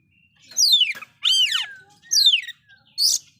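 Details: Loud oriental magpie-robin song, loaded with fill-in phrases, that provokes rival magpie-robins: four bright bursts spaced under a second apart, each a steep downward-sweeping whistle or a harmonic-rich warble, ending in a short buzzy note.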